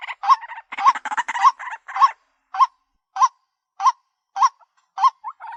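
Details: Ruak-ruak, the White-breasted waterhen, heard in a lure call: a dense, overlapping clatter of nasal honks that settles into single harsh croaks repeated at roughly 0.6-second intervals.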